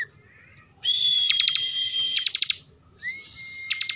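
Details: Bar-winged prinia, a kept bird from Tegal in Central Java, singing bren: a long steady high whistle overlaid with fast ticking pulses, a brief pause, then a rising whistle that holds flat.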